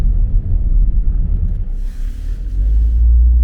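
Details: Deep vehicle-like rumble dominates, swelling and fading, with a brief soft hiss midway and no animal calls.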